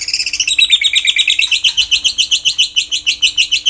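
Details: White-rumped shama singing in the morning for training: a loud, fast, even trill of about six notes per second, high and slightly buzzy, kept up throughout.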